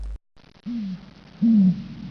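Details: Great horned owl (Bubo virginianus), hoot.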